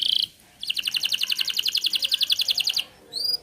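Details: Canary song used to draw young or silent canaries into singing. A brief bright trill is followed by a steady two-second run of rapid pulsed notes, then a short rising whistle and a closing burst.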